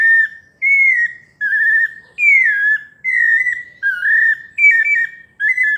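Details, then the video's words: Melodious 'paulista' song of a pale-breasted thrush: full whistled phrases, a few rising then falling, repeated at a relaxed, fairly even pace in a quiet setting. "Sabiá parda paulista canto melodioso"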